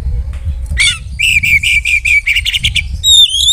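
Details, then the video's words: Oriental magpie-robin in full song meant to provoke rivals: a buzzy note, then a run of repeated clear notes about five per second, ending with high thin whistles, over a low background rumble. "suara kacer super gacor bongkar isian || bikin lawan langsung emosi !!!"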